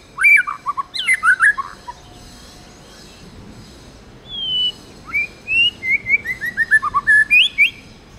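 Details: Tame white-rumped shama giving its wild "forest voice" song: an opening burst of quick twittering notes, a quiet gap, then a single long whistle and a descending chain of rapid, bright slurred notes ending in a rising flourish.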